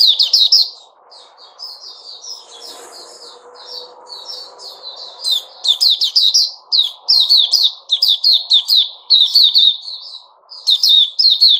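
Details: Sooty-headed bulbul recorded 10 July 2021, opening with a loud flourish, then softer level notes before long runs of rapid, chattering, bubbly phrases; faint low background noise throughout.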